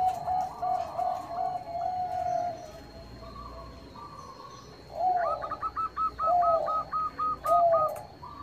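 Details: A Zebra dove song used as a lure to set other doves singing: soft cooing phrases, then a rapid series of about nine short, clipped, ringing coos, with a steady thin high tone behind.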